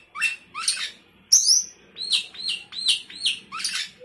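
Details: Sooty-headed bulbul in full, chatty song with fill-in phrases, said to overwhelm rivals: rough buzzy bursts, then a sharp high whistled upslur, followed by five quick rising chirpy notes about every half second.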